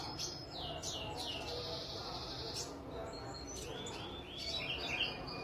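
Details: Caged sunbird, bought two weeks earlier and just starting to sing, kept out in the sun: high, thin sustained trills, several rising and falling buzzy phrases over steady background hiss.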